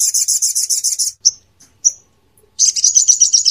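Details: Rapid buzzy trill from a crimson sunbird, played in Indonesia to train songbirds, breaks off into two short sharp whistles before another quick high trill.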